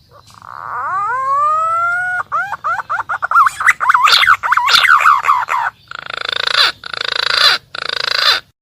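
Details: Green pigeon lure call for trappers: a rising drawn-out whistle, then a series of quick looping warbled notes, ending in several harsh buzzy pulsed bursts.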